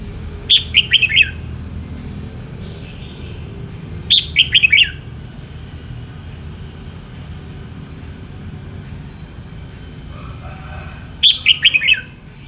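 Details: Red-whiskered bulbul song: three bursts of quick, bright whistled phrases, each about four fast falling notes, repeated roughly every four to seven seconds, with a low rumbling background hum between phrases.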